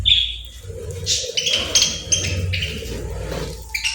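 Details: Playful birds chirp in clear whistled notes and short twitters, some repeated at the same pitch, over a steady low background hum.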